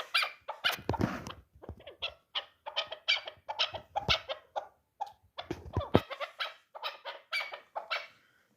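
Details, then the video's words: Rapid, rough chattering notes from a three-year-old hunting chukar partridge of the dulan type, uneven in loudness and running almost without a break. "Кабки дулан"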